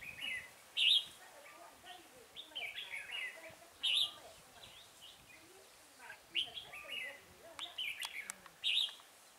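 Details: Red-whiskered bulbul calling during a trapping session with a decoy bird at Chùa Hương, 5 March 2018. Short loud whistled phrases repeat about every three seconds, with softer chattering notes between them.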